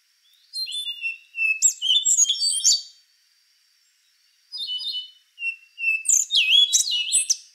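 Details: Rufous-brown solitaire song in two phrases, each a rapid series of high, ringing whistles and twittery slurs, with a quiet gap of about a second and a half between them.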